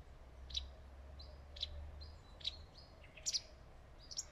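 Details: Wagtail calling from a leafy branch in shade: sharp, high single chirps with fainter thin notes between, roughly one every second, then a quick double chirp near the end, with a low rumble early on.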